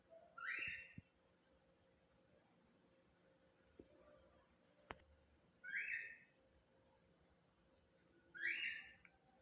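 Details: Captive-bred double-collared seedeater chick (coleiro) calling: three soft, short buzzy notes spaced several seconds apart, with faint clicks and a low hum between them.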